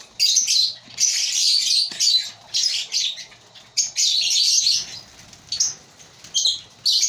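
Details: Loud bursts of shrill, high-pitched chattering from a breeding colony of African lovebirds, each lasting about a second, separated by brief pauses, with many birds calling at once.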